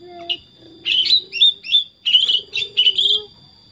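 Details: A tame pet sooty-headed bulbul gives bright, chirpy phrases in quick bursts, about three per second, over a steady high whine and a low droning tone.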